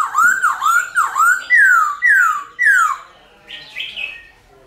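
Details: Silver-eared laughingthrush singing its wild-style song, played to stir captive birds into song: six loud, slurred whistled notes, each dipping then rising, about three per second, then softer high chattering notes.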